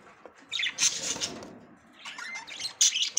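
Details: A female budgerigar tries to enter the nest for the first time. Loud, dense warbling chirps run for over a second, then a quieter stretch follows before more sharp, high chirps.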